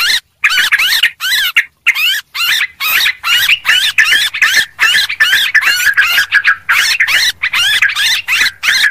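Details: Noisy lure calls of Sooty-headed bulbuls: a steady train of short, harsh chattering bursts with wavy, rising-and-falling notes, repeated roughly twice a second.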